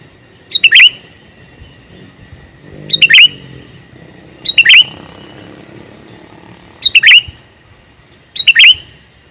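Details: Male sooty-headed bulbul calling: short, loud, sharp chirping bursts repeated five times at irregular intervals of about two seconds, over a soft low rumbling background.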